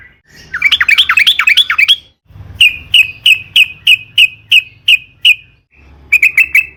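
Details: Yellow-vented bulbul in long rolling song for luring: a quick tumbling string of rising and falling bubbly notes, then evenly spaced sharp chirps about three a second, with a low background hum.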